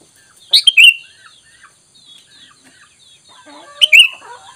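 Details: Sooty-headed bulbul call used as a lure to draw answering birds: short bubbly, liquid phrases of quick notes, two bursts a few seconds apart, with soft faint chirps between.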